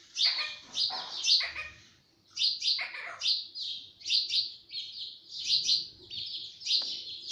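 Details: Green talking parrot kept as a pet repeats sharp, high chirpy syllables in small clusters of two or three, with a short silence midway and a faint background hum.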